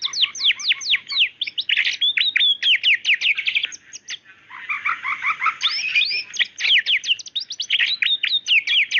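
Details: White-rumped shama, a female calling the male, pouring out a dense, fast song of sharp downward-sweeping notes and high chirps, with a brief softer burst of repeated notes near the middle before the rapid sweeps return.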